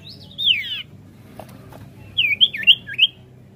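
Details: Sirtu song used as a lure to provoke other birds into singing, with varied rolling phrases; a clear descending whistled slur opens, then a pause, then a quick run of four bright, twisting whistled notes.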